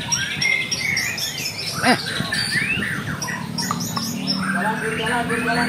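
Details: White-rumped shama in a singing contest pours out varied whistles and clipped chirps, including a long rising slur. A low hum and other songbirds sound in the background.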